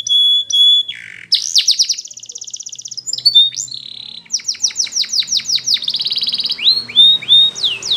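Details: Belgian canary singing a varied high song: steady whistled notes, a low buzzy phrase, a fast trill, then rapid downward-sweeping notes repeated several times a second, ending in a few rising slurred whistles.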